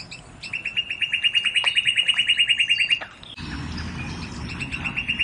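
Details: Northern cardinal singing a fast, even trill of clear whistled notes on one steady pitch, about three per second for three seconds, then it stops and steady background rumble and faint high chirps remain.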